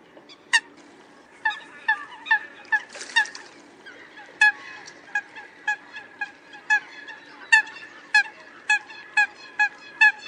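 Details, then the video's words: Eurasian coot calls: loud, short, sharp notes given irregularly, sometimes in quick pairs, over a low background hum. "Tiếng chim sâm cầm"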